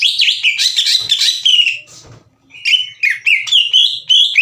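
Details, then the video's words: Caged green leafbird in full song meant to rouse rival leafbirds into singing: a dense burst of rich warbling and chattering notes, a brief pause, then a run of quick slurred whistles. "MASTERAN DAN PANCINGAN CUCAK IJO LAMBAT PANAS UNTUK MEMICU EMOSI LAWAN AGAR GACOR"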